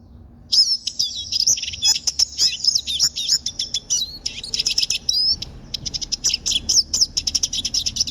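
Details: Pet siskin pouring out a continuous, rapid, high twittering song full of buzzy trills and slurred notes for about eight seconds.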